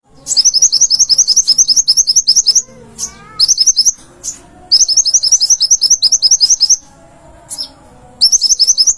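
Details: Konin kept as a cage bird, singing energetically in a master recording for training other cage birds: rapid bursts of high, sharp, repeated chirps, roughly three to four per second, broken by short pauses and a few lower rising notes.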